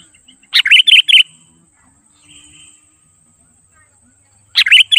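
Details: Lively 'gacor' song of a sooty-headed bulbul used to call wild birds in: a bubbly four-note phrase, a soft faint warble in the pause, then the start of another phrase.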